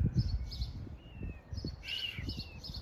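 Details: Indian peafowl chicks separated from their mother, heard crying from a backyard on a residential street in the morning, give thin, drawn-out high whistles, some level and some slightly arching, about three cries in under three seconds, over heavy low wind rumble.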